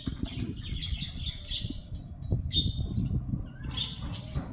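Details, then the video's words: Lovebirds give a run of high, squeaky chirps and short sharp calls, several in quick succession, with a brief gap and then a fresh burst near the end, over steady low rumbling background noise. "Love Birds Sound"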